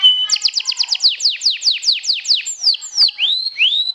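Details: Champion 'sobek' canary singing to provoke rivals: a short whistle, then a quick run of about a dozen high, sharply falling notes that slow and lengthen, ending in rising slurred whistles.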